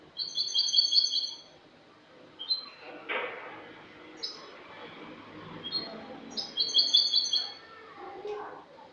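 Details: European goldfinch of Spanish stock in clean song (cante limpio), recorded the previous year, dated 22 August 2018: bright high twittered phrases open and recur near the end, with scattered brief chips and faint noise between them.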